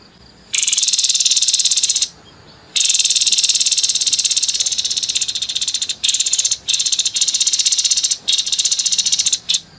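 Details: Grey-headed babbler in harsh 'nembak kasar' style, pouring out nearly continuous scratchy, rapidly pulsed rattling that breaks into short choppy bursts toward the end.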